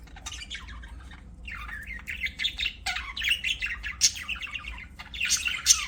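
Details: Budgies kept as pets give a near-continuous stream of scratchy, warbling chirps and sharp high squawks, rising in intensity toward the end, with a faint low hum underneath.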